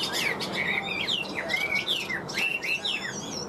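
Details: Caged tame Chinese hwamei in continuous song, a fast stream of loud, clear whistled notes, rising and falling slurs and quick trills in varied phrases, with no pauses across the stretch.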